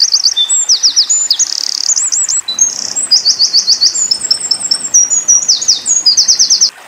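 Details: Eurasian wren singing a 'tembakan' burst for white-eye tutoring: nearly seven seconds of continuous, shrill, rapid trills, rattles and looping whistled notes, loud and unbroken.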